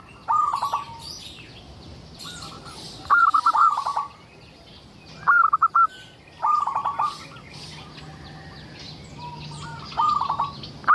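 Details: Local Indonesian zebra dove in full, lively song, used as a lure to prompt other zebra doves to sing: short bursts of rapid, stuttering pulsed coos, about five phrases spaced a few seconds apart, with faint high chirps from other birds behind.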